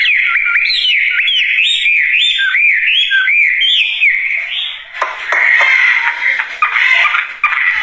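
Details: Chinese hwamei (wambie) in full, vigorous song: a run of looping whistled notes rising and dipping, then a harsher section of rapid, scratchy, downslurred notes mixed with whistles.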